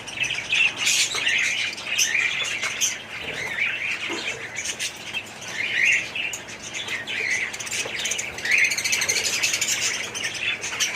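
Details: Colony of budgerigars kept in an aviary, continuous dense warbling and chirping from many birds, with occasional wing flapping.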